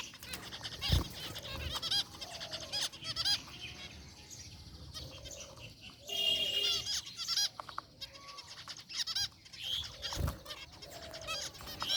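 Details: Gray and white zebra finches in an aviary cage give scattered nasal chirps and short honking notes over a steady background of bird chatter, with two sharp knocks.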